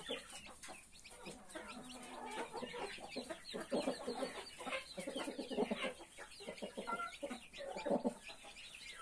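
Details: Mother hen clucks steadily in short low notes while her 31 newborn chicks keep up a busy, high, wavering peeping throughout.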